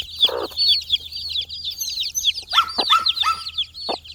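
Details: Farm chicks aged four days hunting insects: dense, continuous high-pitched cheeping from many birds, some louder piercing peeps near the end, plus a few brief low clucks and tapping sounds.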